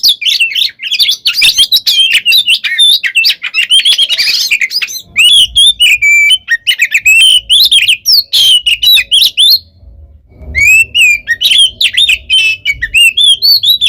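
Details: Oriental magpie-robin (kacer) fighting song for baiting other birds: long run of rapid chattering and whistled notes, a short pause near the end, then clear whistles resume.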